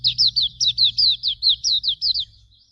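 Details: Hume's white-eye master song for training birds: about ten sweet, high, downward-slurred whistles in a quick even run lasting just over two seconds, fading out at the end.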